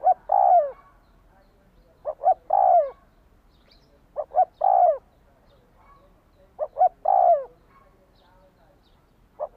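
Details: Spotted dove cooing to stimulate a decoy bird. A repeated phrase of two or three quick notes and a long sinking croon, heard four times at steady intervals in a quiet setting.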